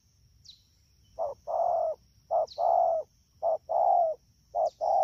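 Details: Rainy-season recording from Đak Tô, 3 October 2019: a wild-caught spotted dove repeats mellow paired coos, a clipped note followed by a longer slightly falling one, roughly every second, over a faint constant high hum.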